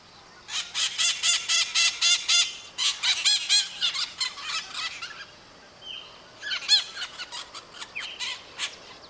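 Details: Maritaca parrots in Brazil, birds that live in flocks and call to keep contact, warn of danger and mark presence: bursts of harsh, rapidly repeated screeches, several birds together, a short pause, then a further screeching burst.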